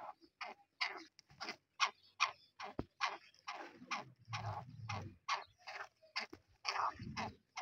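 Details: Harsh, scratchy notes from a black francolin repeat in quick succession, roughly two or three per second, with a low rumble of background noise partway through.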